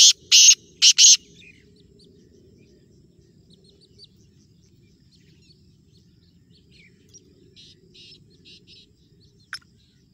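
Black francolin giving three loud, harsh, grating notes in quick succession, then quiet, with only faint high chirps from small birds afterward.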